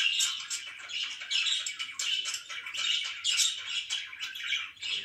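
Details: Pet budgerigars chirping in the morning: dense, scratchy warbling chatter of overlapping chirps and squawks, continuous with brief dips, several birds calling together.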